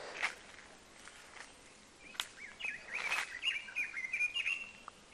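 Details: Small birds twitter and chirp in quick, uneven high notes with sharper chips over soft outdoor hiss, in hill surroundings at Rishop, North Bengal, India, during hot season, with distant dogs and occasional chickens noted.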